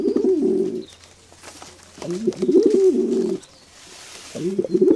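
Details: Close pigeon coos in three bursts, each a low, throaty, warbling phrase about a second long, separated by short quiet gaps.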